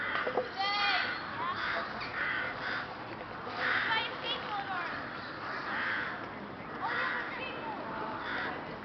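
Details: A flock of rooks in Boscawen Park, Truro, on 8 January 2021, giving many overlapping raucous caws roughly every second, a busy chorus of harsh calls with some thin higher notes mixed in.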